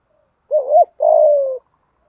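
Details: A single crisp fighting coo phrase from a spotted dove, used to train decoy birds to sing: a quick wavering two-part note, then a drawn-out, gently falling coo, in clean silence.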